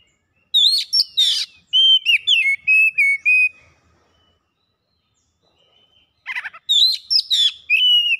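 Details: Oriental magpie-robin song used as a lure to get birds singing and show learned phrases: scratchy chirps, then a string of clear level whistles stepping lower, a long pause, and a fresh burst.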